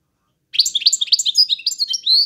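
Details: Goldfinch in 'drunk' singing style, a lively high twitter of clipped chirps and liquid notes that ends on a longer, thin whistled note, with nothing else audible.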